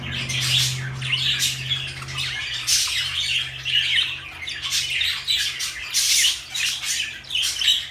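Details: Constant raspy chatter from a pair of pet parakeets, blue and light yellow, with loud squawking bursts tumbling one after another, a low hum fading out midway.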